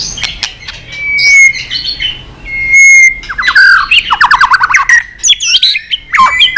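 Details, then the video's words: White-rumped shama in lively many-voiced song: long level whistles, then dense bursts of rapid chattering notes and sharp squawky phrases. "Chòe Lửa tạch đập đuôi kích lửa cực sung. kích chòe Lửa lên lửa sổ giọng.chòe Lửa hót nhiều giọng"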